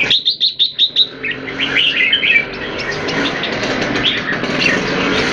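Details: Caged Red-whiskered bulbuls kept in Singapore, one bird in molt, several males pitted against each other: a quick run of six sharp, repeated whistled notes, then a dense tangle of overlapping warbled phrases over steady background hiss.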